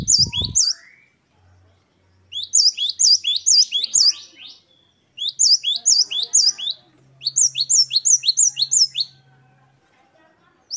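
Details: Great tit, energetic 'wucit-wucit' song among ten variations for training caged birds. A loud low thump opens, then four bursts of quick, high, doubled notes, up to nine per burst, separated by brief silences.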